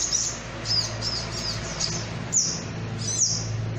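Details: Sunbird (sogok ontong) lure call used by bird trappers: high, thin downslurred chirps repeated at irregular intervals over a steady low hum.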